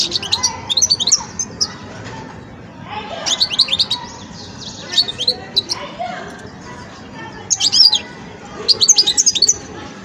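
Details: A young European goldfinch working out its song, delivering uneven bursts of quick, high, chattering and liquid twitters separated by brief silences, with a low steady hiss underneath.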